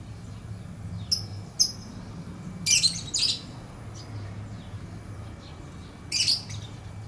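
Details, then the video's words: Lovebird with short high chirps, followed by a loud pair of shrill squawky bursts and one more burst later, over a low steady hum. "Lovebird Chirping Sounds"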